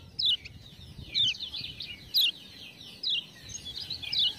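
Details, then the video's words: Faint lemon-bellied white-eye chirps, prompted by ciak-ciak sounds, come about once a second as sharp high slurred notes over a steady low background hiss. "Kecial Kuning joss gacor"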